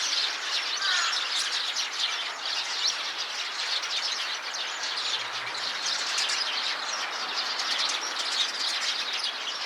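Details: A flock of Eurasian tree sparrows calling together inside a tree; a dense, continuous wall of overlapping high chirps and chatter with no pause, steady in loudness throughout.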